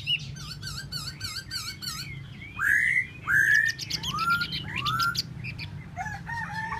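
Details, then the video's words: Tieu mi bird giving a repeated run of short V-shaped chirps, then loud rising whistled sweeps about once a second and softer twittering, over a steady low background hum. "Tieu mi de ban choi solo"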